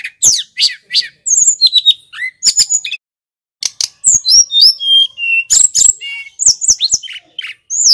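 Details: Lively Snowy-browed flycatcher song meant to goad other songbirds into competitive singing: a dense, fast stream of sharp high chips and slurred whistles, broken by one brief pause.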